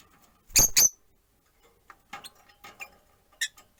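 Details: Rosy-faced lovebirds, four in a cage by a window, one perched: two loud, grating screeches in quick succession, followed by quieter scattered chirps and twitters and one more sharp call near the end.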